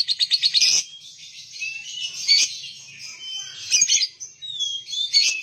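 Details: A lovebird opens with quick pulsed chirps, then mixes harsh squeaky chatter with clear whistled notes that slide up and down.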